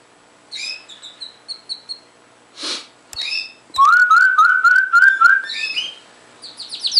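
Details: Canary song with high thin notes, a rasping burst, then a loud liquid rolling trill of linked whistled notes lasting about two seconds, ending in rising high chips.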